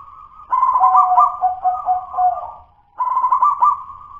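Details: Local wild-caught zebra dove singing in an unfinished style still described as dudut-nutut, not yet fluent: a burst of low, stuttering cooing notes for about two seconds, a pause, then another rolling coo phrase begins.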